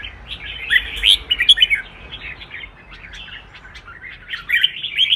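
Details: Red-whiskered bulbul in training for contest singing, giving short bursts of bright warbled and chirped notes, louder at the start and end, with quieter scattered chirps between.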